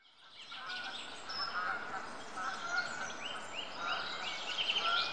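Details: Long-tailed tits feeding on a fat dumpling in Rombergpark Botanical Garden, Dortmund, on 14 March 2014 give a busy stream of thin, high chirps and short rising twitters, several overlapping, over steady hiss.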